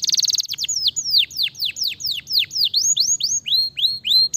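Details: Stimulating canary song opening with a brief fast trill, then a string of clear whistled notes swooping sharply downward, repeated about four times a second with even, lively rhythm.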